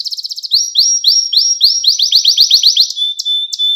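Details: Short burst of domestic canary song: a fast pulsed trill, then a string of sharp rising chirps repeated several times a second, ending on a sustained pure whistle.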